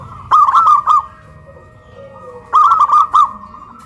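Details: In Kuningan, West Java, a pole-raised local zebra dove sings loudly in a duet pitting a big voice against a crystal voice. Two short phrases of three to four rapid, wavering coos are separated by a two-second pause.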